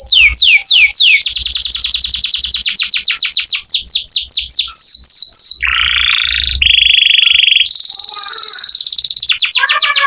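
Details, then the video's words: Canary in full song as master audio for magpie-robins: falling swept notes repeated rapidly for several seconds, then sustained rattling rolls at lower and higher pitches, ending in descending slurs. "Kenari gacor cocok buat masteran kacer nembak"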